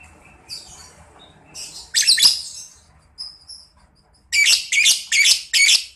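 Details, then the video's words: Lovebird played as therapy to make young lovebirds chatter (ngekek) and answer: short, harsh, high chirps in scattered bursts, then four loud buzzy notes close together near the end. "ampuh terapi NGEKEK paud balibu cepat NYAUT emosi tarung labet apapun akan bunyi"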